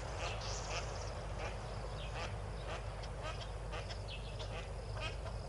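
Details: A yellow-billed duck with six ducklings at Tau Waterhole, 4 PM, 12 February 2022, gives short rough quacks with thin high peeps that may be the ducklings, over a low rumble of wind or water.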